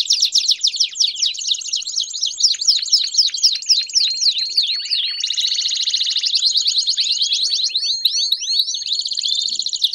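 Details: Several Belgian canaries singing together: rapid series of high, downward-sweeping whistled notes, then rolling buzzy trills from about five seconds, voices overlapping continuously throughout.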